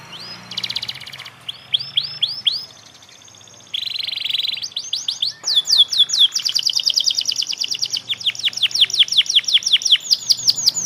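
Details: Panda canary youngster practising its song, giving short series of slurred whistles, a buzzy trill, then long fast runs of repeated sweeping notes that quicken toward the end.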